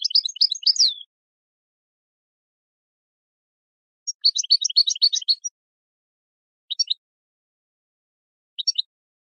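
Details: European goldfinch song played for training birds: two dense bursts of rapid, high tinkling twitters about four seconds apart, followed by two brief isolated chirps; quiet background.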